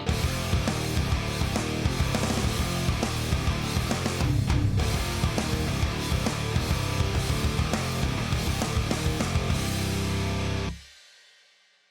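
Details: Loud heavy metal guitar music with drums plays throughout, then cuts off abruptly near the end, with no animal sound.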